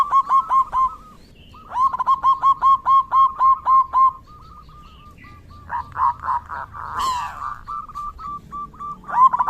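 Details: Zebra dove singing in the rainy season: a fast run of short, clipped cooing notes repeated several times a second, then softer trilled notes and a brief noisy burst, with more cooing at the end.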